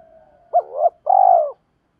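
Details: Caged decoy spotted dove calling to lure wild birds: a faint lead-in note, then a hooked coo rising into a rolling second note and a long, slightly vibrating coo.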